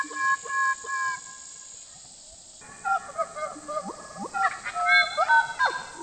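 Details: Papuan butcherbird song played to lure birds in the forest: clear, fluty notes in short phrases, some rising and some falling, broken by a brief gap, over a steady high electronic hiss.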